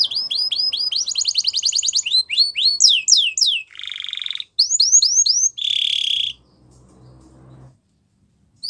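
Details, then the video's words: Canary song played to prompt a quiet canary to sing again: loud high rolling tours of rapid repeated notes, falling whistled sweeps, then buzzy harsh bursts, with brief pauses near the end. "Your Canary Is Quiet ? Will Sing Again After Listening To This"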